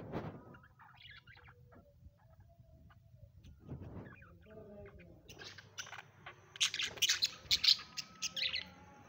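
Budgerigars chatter in soft warbles, then break into bright, rapid chirps and squeaks.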